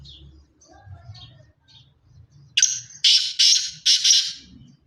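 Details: Black francolin of the pure Sindhi chirki strain. Faint chirps and low murmuring give way to a sudden loud call: a rasping opening note, then three harsh buzzy notes.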